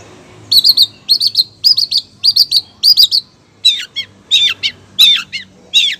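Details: Female long-tailed shrike calling the male, a steady run of sharp, high double and triple chirps, a few per second, later turning into rougher, harsher downslurred notes, in a quiet setting.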